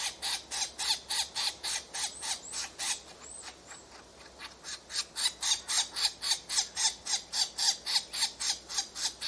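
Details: Woodpecker young at a nest being fed: harsh, raspy buzzing notes repeated steadily about four times per second, briefly fading midway before resuming, over a soft, even background hiss.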